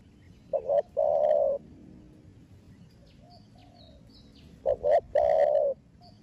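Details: Spotted dove, young bird of Thổ Đồng style and Thổ Sấm descent, cooing to rouse other doves to answer: two phrases roughly four seconds apart, short paired notes followed by a long steady coo, faint background hiss.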